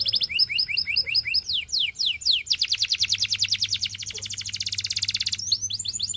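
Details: Canary singing paired chirps, then swooping slurred whistles leading into a long, fast, rolling trill and more chirps at the end; faint low hum beneath.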